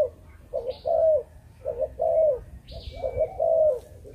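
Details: Malaysian-line spotted dove, bred in captivity, delivering chụp chụp ô coos: two short clipped notes followed by a longer drawn-out coo, heard twice, plus a faint high chirp from another bird.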